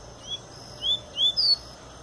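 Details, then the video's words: Double-collared seedeater singing the pure Tui Tui song style while coming out of molt: four clear, high whistled notes, each sliding upward, the last two close together and slightly higher, over steady background hiss. "Papa-capim Tui Tui puro"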